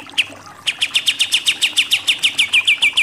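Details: Pied triller, called kapas tembak, giving a shooting nembak-nembak song as contest bird training audio: one isolated note, a short pause, then roughly fourteen clear downslurred chips repeated at an even, brisk pace.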